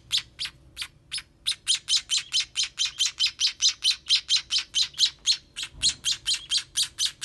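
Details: Hungry baby sparrows during feeding: a few spaced squeaky chirps build into an unbroken string of loud, high begging notes about two per second, with a soft knock near the end.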